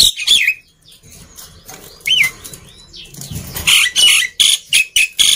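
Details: Black-winged myna song played to stir silent mynas into song: scattered harsh calls and one clear rising-falling whistle, then a fast burst of rasping screeches.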